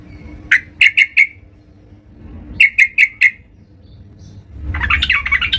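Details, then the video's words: Lively (gacor) yellow-vented bulbul at home: two bursts of four punchy, bright notes, followed by a rising, bubbling warbled phrase. "terucukan gacor"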